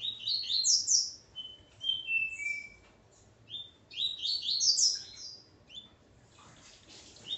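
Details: Coleiro male singing beside his female, giving quick upward-sweeping buzzy notes, then a few lower whistled slurs dropping in pitch, before another run of bright rising notes over a soft, hissy background.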